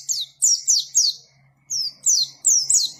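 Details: White-eye singing in ngalas style: loud, high, falling whistled chirps in short groups separated by a brief pause, with a faint low hum beneath.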